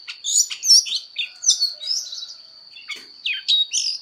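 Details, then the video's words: Voice-training fighting song from an Oriental magpie-robin: loud whistled phrases and sharp sweeps in the first half, a quieter gap, then renewed bright notes, over a constant thin high tone. "Choè than hót đấu/Choè than hót luyện giọng căng lửa/Choè than hót"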